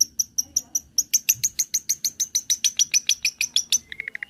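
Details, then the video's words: Long-tailed shrike song meant as a lure and master recording for training other birds: a fast, even train of sharp, high chirped notes, about five per second, closing with a brief run of lower, quicker notes. "PANCINGAN CENDET FULL MATERI ISIAN SUARA JERNIH DAN NYARING"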